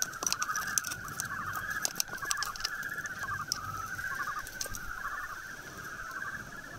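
Houbara bustard chicks peep in a busy chorus of short, rapid, mid-pitched notes, with sharp clicks and tapping over it.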